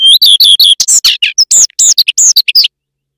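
A common redstart sings a short phrase: four or five quick, matching high notes, then a jumbled, scratchy twitter of varied notes, ending abruptly.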